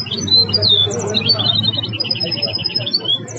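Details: A goldfinch hybrid credited with the Belghith, Jnan al-Hasira and Si al-Fahm song styles: bright, tinkling notes, upward sweeps and a rapid run of evenly spaced chips, over a faint low hum.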